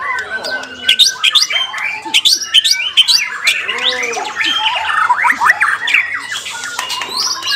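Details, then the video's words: White-rumped shama singing in a singing contest: a rapid, varied stream of whistles, chattering notes and harsh sweeping phrases, densely packed and overlapping, with other birds also calling. "MURAI BATU"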